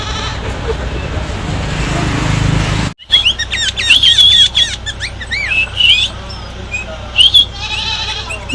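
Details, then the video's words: Six-year-old sooty-headed bulbul singing loudly: after a few seconds of hissing noise and a sudden cut, bright high warbled whistles, quick looping and slurred notes in short bursts with small pauses between them. "CUKUP NYARING !! Suara Burung Kutilang Berumur 6 Tahun."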